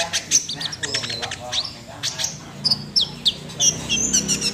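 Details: Sunbird singing hard in 'nembak' fashion, dense bursts of very high ticking notes giving way to scattered piercing chirps and short whistles.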